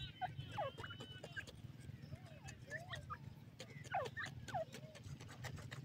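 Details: Grey francolin chicks, about ten days old, feeding on green grass: short, clear downward-sliding peeps scattered through the clip, some in quick pairs, over a steady low hum with faint murmur.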